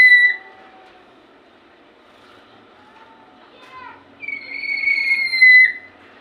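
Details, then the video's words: Lory giving a strange sound: a short sharp note at the start, then quiet wavering whistles, followed by a long, loud, level whistle with a slight downward slide near the end. "Nuri Bersuara aneh"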